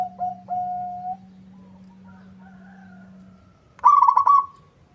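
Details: Local zebra dove in full song, provoking a rival's answer. Two level coos, one held, trail off, then a quiet gap and a loud rolling trill. A low steady hum fades out midway.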